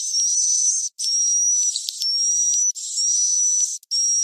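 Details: Swiftlet roosting call (suara tidur) used in swiftlet nest farming to lure birds into a roost: high, thin, continuous twittering with a steady whistled tone, broken by short gaps about once a second.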